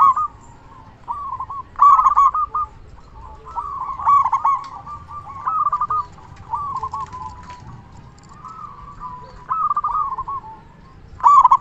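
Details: Zebra dove lure song from a loud local bird, played to stir other doves to call: repeated bubbling coo phrases separated by short pauses, each opening with a stronger accented note, over a low hum.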